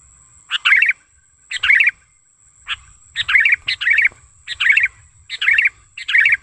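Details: Sooty-headed bulbul, a lively, vocal bird from natural surroundings, used as a lure and tutor call: short bubbly chirping phrases in bursts about once a second, with a pause midway, over a faint steady high tone.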